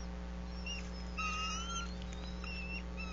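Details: Wild bald eagle at its nest high in a sycamore tree about 100 feet up, Bluff City, Tennessee, nesting season, 25 March 2024 at 13:30, nest camera: thin high whistled notes with a brief drawn-out piping tone, over steady low hum.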